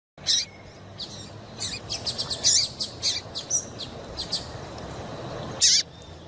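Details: Female double-collared seedeater calling to excite a male into singing, as used by breeders for song tournaments: sharp high chirps, then a quick run of about a dozen evenly spaced thin notes, ending in one loud chirp over a quiet hiss.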